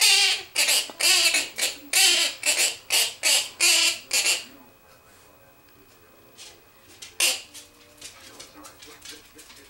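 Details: Pet blue cinnamon Quaker (monk) parakeet singing and dancing to a children's song gives a rapid run of harsh, squawky syllables, then a few scattered chirps.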